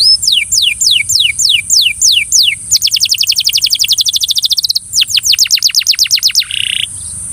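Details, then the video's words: Belgian canary singing to coax a fellow canary: evenly spaced downward whistled sweeps, then a dense fast rattle of notes, more quick sweeps, and a short buzzy note at the end. "Canary bird coaxes friend to sing! Belgian Canary"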